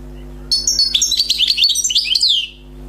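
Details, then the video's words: Newly caught wild European goldfinch delivering a two-second run of quick, tinkling chirps and liquid twitters that finishes on a falling whistled note, with a constant low hum underneath. "غناء حسون بري صيد جديد #chant chardonneret"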